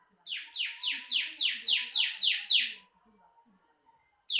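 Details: Bar-winged prinia song used for bird training: eight evenly spaced, loud, high notes that each slide sharply downward, then a brief pause before another note begins.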